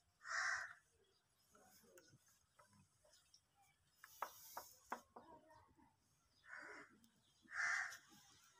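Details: Displaying Indian peafowl with feathers opened, giving four short loud honking calls, one near the start and three toward the end, with a burst of dry rattling and clicking sounds in between.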